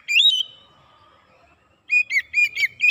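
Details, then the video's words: Oriental magpie-robin lure song used to provoke other birds: a loud whistled phrase near the start, a quiet gap, then a rapid run of bright repeated chirping notes closing the clip. "PANCINGAN KACER CEPAT KONSLET NGOTOT BONGKAR ISIAN"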